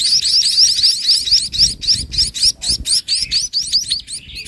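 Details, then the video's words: Mother sparrow feeding chicks in the evening before night; loud pulsing series of sharp upward chirps, roughly four per second, in regular bursts. "MENJELANG MALAM INDUK BURUNG PIPIT MAKIN GENCAR MENYUSUI ANAK ANAKNYA"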